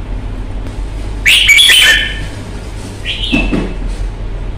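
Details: Fighting-display song of a caged red-whiskered bulbul: an explosive burst of loud, rich warbling notes, then a shorter whistled phrase with a low knock, over steady background hum.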